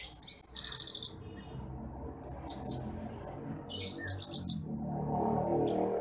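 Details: Bush lark song kept for training other birds: rapid high, rattling chirp series in several bursts, with a rising broad noise building near the end.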